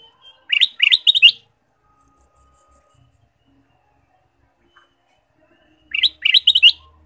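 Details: Ruby-throated bulbul in varied song, played to stimulate caged birds: two high, rapid phrases of four sharp upswept notes each, separated by about five seconds of silence.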